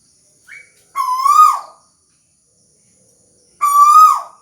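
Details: Tuwu bird singing: a brief high pip, then two loud, harmonic whistled notes about two and a half seconds apart. Each note rises slightly before sliding down. No other sound is present.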